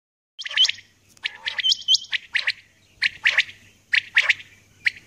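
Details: Female common quail calling in the early morning: short harsh rasping bursts, often in pairs, repeated about once a second, with a few clear whistled notes from another bird in between.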